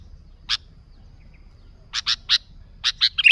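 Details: Sooty-headed bulbul, used as an unembellished lure for wild bulbuls: a lone sharp chip, then a pause, then a burst of clipped, emphatic chirps in quick succession.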